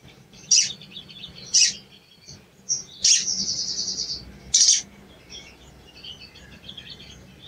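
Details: Sooty-headed bulbul calls played as a lure to make a silent bird sing: four sharp, high chirps, one trailing into a long buzzy rattle, with soft twittering filling the gaps.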